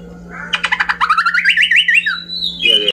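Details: Cucak pantai, a bird endemic to Papua, singing: a fast series of sharp clicking notes merging into a wavy, rapidly warbled phrase that rises into a thin whistle, over a steady low electrical hum.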